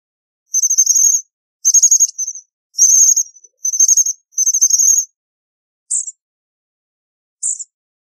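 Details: American bushtit with five high, dry trilled bursts in steady succession, then two isolated short sharp chips after a pause.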